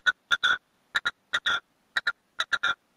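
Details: Red-legged partridge decoy male in a cage calls to wild partridges with its four-to-five-stroke song. Loud, grating notes come in clusters of two or three, the last of each group drawn out.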